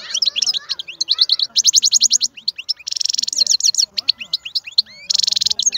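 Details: Powerful European goldfinch song from a wild-caught bird: continuous rapid twittering, rattling buzzy trills and liquid chirps packed tightly together, bright and high-pitched.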